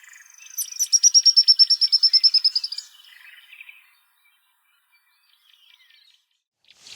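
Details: A family of Burnt-necked Eremomelas calls from cover along Zaagkuilsdrift Road in late March, in summer: a fast, high run of sharp, evenly spaced notes for about two seconds, then softer, scratchy twittering.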